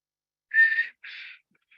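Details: Black-capped chickadee (Poecile atricapillus) singing the local dialect of coastal Washington west of the Cascades, a learned song: a short descending series of whistled notes, strong first, softer second, faint trailing third.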